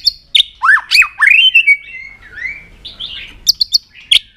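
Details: Singing hard after being provoked, a white-rumped shama delivers varied fighting song: looping swooped whistles, a long gliding note, then scattered sharp high clicks.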